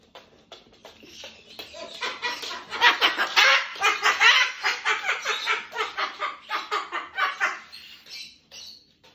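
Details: Two captive cockatoos in a bedtime duet: scratchy squawks begin softly, swell into a loud rapid run of harsh screeches mid-way, then ease off into quieter rasping calls.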